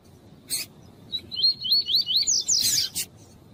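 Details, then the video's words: Coleiro tuí-tuí, a double-collared seedeater song style, warming-up recording with a calling female: a short burst, then a quick run of looping whistled phrases rising in pitch, ending in a harsh scratchy flourish. "ESQUENTAR COLEIRO TUÍ-TUÍ COM COLEIRO TUÍ-TUÍ E FÊMEA CHAMANDO"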